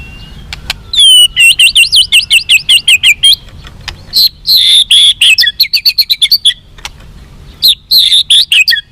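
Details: Captive-training song of a white-rumped shama, played to boost fighting spirit in other birds: loud, high, rapid chattering phrases with looping whistles and quick trills in several bursts.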